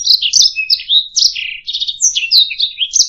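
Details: Canary singing, recorded as a master song for training other songbirds: a rapid, continuous warble of varied high notes, slurred whistles and buzzy trills, one steady low whistle near the start, no other sounds.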